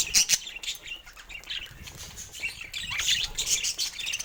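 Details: Budgies at morning play with their toys: two loud clicks open, followed by soft scratchy warbling chatter and trilled chirps that grow busier toward the end.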